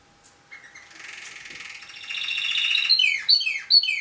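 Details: Tame pet canary, a national champion singer in the gacor style of constant singing: a buzzy, rolling trill that grows louder, then three crisp descending whistled notes.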